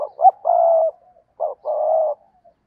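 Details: Caged lure spotted dove, used to draw in wild doves, utters two cooing phrases: a clipped double note leading into a sustained low coo, repeated after about half a second of silence.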